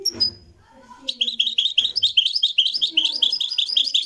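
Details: Moroccan goldfinch song recorded live. After a short, faint high note, rapid twittering begins and carries on without a break: bright chirps and trills repeated quickly, with soft low background sounds.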